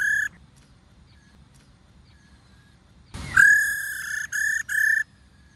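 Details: A female white-cheeked laughingthrush calls ro: after the tail of an earlier note and a long silence, a loud nasal note rises sharply, then holds flat and buzzy in three broken sections.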